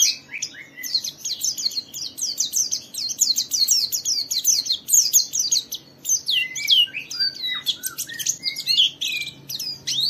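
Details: A white-eye in full song, played as a lure to trigger other white-eyes into singing, gives a rapid, high, twittering song of quick slurred notes, continuous and bright, with a faint low hum behind.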